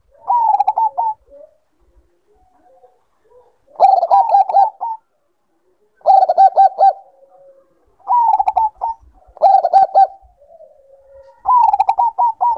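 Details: Bangkok zebra dove giving its breeding-condition coo again and again: six short, fluttering phrases of quick rolling notes, spaced irregularly about two seconds apart, some followed by a faint low murmur.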